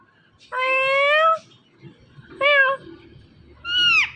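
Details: Indian ringneck parakeet imitating voices at home in the morning: a long flat nasal tone, a shorter wobbling one, then a falling squeal, spaced about a second apart.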